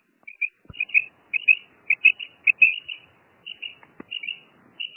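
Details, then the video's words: Loud, bright double-note calls of a female common quail, closely spaced at about 105 per minute, with a few clicks. "Female quail sound| madi batair ki awaz | batair karkaree| Maadi Batair Ki Awaz| Female Common quail"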